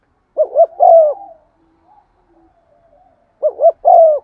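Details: Spotted dove used as a lure, cooing in 'giọng son' style to stimulate others: two full phrases of paired quick coos and a long, smoothly descending note, with a quiet gap and faint soft sounds between.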